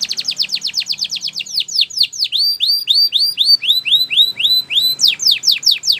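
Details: Timbrado canary training song with quick falling whistled notes repeated in a steady run, slowing into arched, rising-then-falling whistles about three per second, then fast sweeps again.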